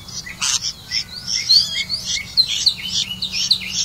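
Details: Red-vented bulbul catching crickets to feed its young: bright, high chirps and short squeaky notes, coming quickly and irregularly over a faint low hum.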